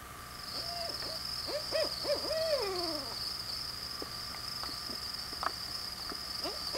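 A barred owl gives a run of short, bouncing hoots, then a long drooping slur, with a steady high insect drone behind it.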